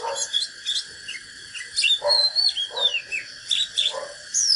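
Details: Duelling song of a natural Oriental magpie-robin, used to stir rival birds: clear whistles and downward-slurred notes in short runs, broken by low burry notes, over a steady high-pitched hum.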